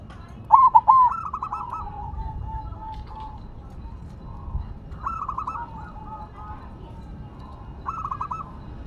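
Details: Silver zebra dove singing while placed on the ground, starting with a loud pair of rolling coos, followed by quieter trilled cooing phrases from other doves recurring every few seconds.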